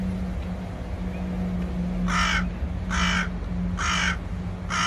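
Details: Common raven calling: after a quiet start, four harsh, hoarse caws come roughly one per second over a steady low hum.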